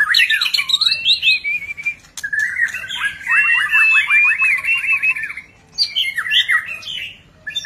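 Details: Displaying white-rumped shama delivers a loud, varied song of tangled warbles, buzzy trills and quick descending whistles in long continuous phrases, broken by brief silences.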